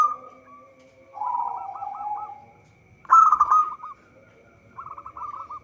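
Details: Local zebra dove used as a trapping lure, singing in phrases of short repeated coos, with a loud rolling burst in the middle and a quick run of notes at the end.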